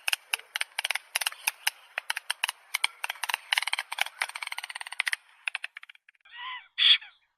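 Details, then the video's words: Stork, named as Ciconia, giving a run of dry, percussive clicks and rattles in quick uneven succession for about five seconds, then a pause and two short harsh bursts near the end. "Голоса птиц как поёт Аист Ciconia"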